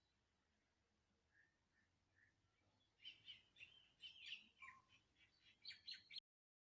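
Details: Singing birds in Andhra Pradesh, India: a few faint single chirps at first, then about three seconds of busy, overlapping high twitters and tweets that end abruptly.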